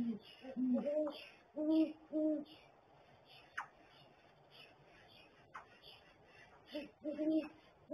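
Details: Both great horned owls inside their nest barrel, male and female together; several low paired-tone hoots at the start, a quiet gap, then more hoots near the end, with faint chirps from other birds above.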